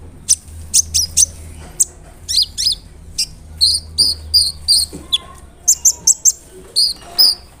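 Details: Crisp-voiced brown-throated sunbird singing to provoke other sunbirds: spaced high sharp chips, then paired higher and lower buzzy notes repeated in quick clusters, a low hum beneath.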